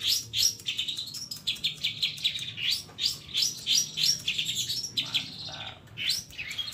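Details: A cendet or pentet, the long-tailed shrike, singing nonstop in a full master recording rich in fill-in phrases: a steady stream of high, quick chirps and slurred whistles, roughly three per second, over a soft low hum.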